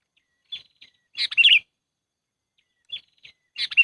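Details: Sooty-headed bulbul trapping lure: two brief chirps, then a loud bubbly chattering phrase, repeated once after a pause.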